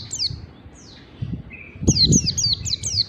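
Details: Caged-bird training recording of white-eye (pleci) 'ngalas' song. A few high slurred notes, then a steady run of five quick falling whistles near the end, over low background rumble.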